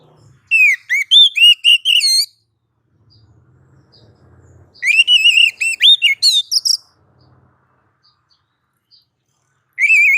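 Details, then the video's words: Oriental magpie-robin, called kacer, on a masteran recording. Three bursts of rapid, sweet, warbling upswept whistles, with a faint low murmur in the quiet gaps between them. "suara masteran Kacer satu ini"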